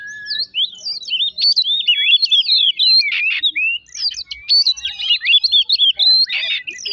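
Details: Oriental magpie-robin song used as a lure to provoke other magpie-robins into singing: a fast, continuous stream of varied whistled notes, sharp slurs and chattery trills, high-pitched and densely packed throughout.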